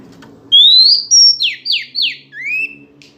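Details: Female Oriental magpie-robin singing to provoke males: a long rising whistle, a high level note, three quick falling slurs and a final lower rising whistle, over a faint low hum.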